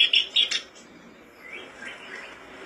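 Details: Black-browed reed warbler, locally kerbas alis hitam or sincan, song used as a lure to make birds sing quickly; a brief burst of harsh, chattering high notes in the first half-second, then fainter scratchy phrases.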